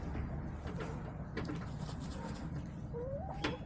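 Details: Backyard hens heard over a constant low hum, quiet clucks early on, then a longer rising drawn-out squawk near the end with a sharp click.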